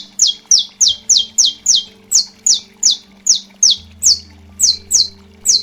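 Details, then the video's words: Saffron finch delivering strong snapping 'estalo' song for pre-tournament training: a long, steady string of around fifteen piercing high notes, each dropping in pitch, repeated about three times a second, with a low background hum. "CANÁRIO DA TERRA – CANTO ESTALO FORTE"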